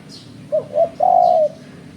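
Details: Spotted dove calling as a lure for bird trapping: two short soft coos followed by one long, steady, low hooting note that dips slightly at its end. Faint higher chirps sound in the background.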